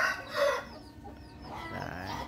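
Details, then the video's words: Young bantam rooster, still growing new body and tail feathers and chained by the leg on its perch, crows in the morning: a loud, hoarse burst opening strongly, then trailing into a drawn-out, wavering tail. "gà tre gáy PHÁ LÀNG- PHÁ XÓM báo thức buổi sáng | The sound of rooster crowing in the morning"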